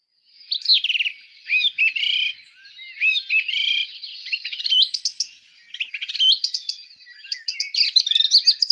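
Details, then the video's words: Song thrush song, a highly variable song whose phrases are repeated two or three times, sung mainly at dawn and dusk once paired: varied, clear, fluty whistled phrases with rising and falling notes and sharp clicks, continuous for several seconds. "The key with a song thrush is it does it 3 times."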